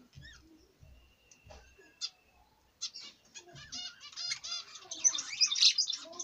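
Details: Budgerigar starting with soft, scattered chirps and a thin, sustained whistle. It builds into fast, continuous warbling chatter of buzzy, rippling notes that rises to a loud, dense climax.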